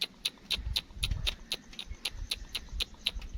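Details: Black francolin chicks held in captivity: about a dozen high, piercing peeps repeated roughly twice a second over a rumbling low-pitched background noise.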